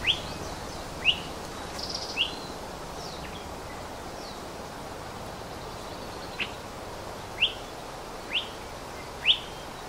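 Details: Big Island Hawaii Elepaio, subspecies ridgwayi, in upland rainforest. It gives about eight sharp, clipped, high notes at irregular gaps of one to two seconds, with faint thin calls from other birds and a soft background hiss.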